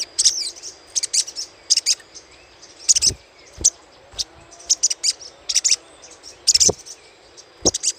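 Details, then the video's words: A lure recording of little spiderhunter chattering: rapid clusters of shrill, high chit notes in fairly regular bursts about every half to one second, over low hiss. "PANCINGAN SUARA CRECETAN SOGOK ONTONG"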